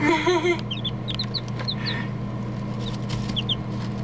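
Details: A brief human voice opens, then chicks crowded together in a cardboard box give sparse high, falling cheeps in small bursts over a continuous low hum.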